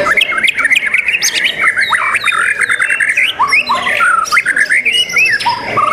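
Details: White-rumped shama (murai batu) singing at a songbird competition, 12 December 2021: rapid loud whistled phrases, sharp upslurred and downslurred notes and chattering bursts, delivered almost without pause, with other competing birds overlapping in the background.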